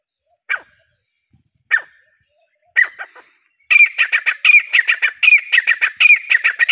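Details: Grey francolin (desi teetar) giving three spaced, harsh notes, then a loud, rapid run of grating, high-pitched calls repeated several times a second.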